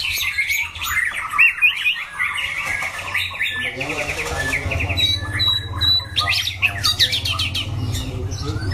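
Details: Loud-voiced competition white-rumped shama in a cage; quick repeated whistled notes and chattering phrases, with a steady low hum filling the second half.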